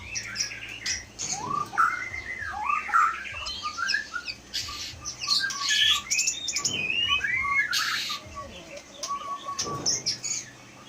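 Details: Aceh Leuser white-rumped shama kept in a cage since 2018, a forest-caught bird with strong mimicry and fighter temperament, delivering loud rolling whistles, swooping phrases, harsh squawks and brief trills over a faint low hum.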